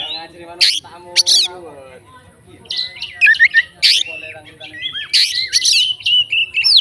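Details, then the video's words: Oriental magpie-robin fighter song to provoke others: varied whistled phrases and sharp chips in loud bursts, opening with a lower harmonic sound like a voice. "BUNYI BURUNG KACER FIGTER, FULL ISIAN KACER LAIN LANGSUNG ON"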